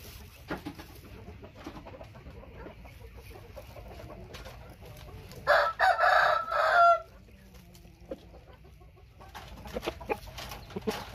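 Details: A white-tailed Thai rooster gives a single loud, harsh crow of about one and a half seconds, broken into several pulses, midway through an otherwise quiet stretch with scattered faint clicks and rustles.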